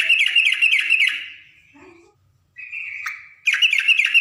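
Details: Female yellow-vented bulbul calling a male in the ngriwik style: a fast, bright, bubbling chatter of rapidly repeated notes, then a quiet pause with a faint drawn note, before another level note and a fresh burst of chattering.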